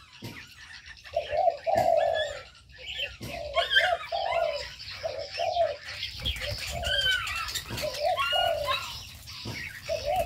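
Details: Ornamental aviary birds: short low coos repeated roughly once a second, mixed with a growing chorus of bright, chirpy high notes from smaller birds and occasional taps.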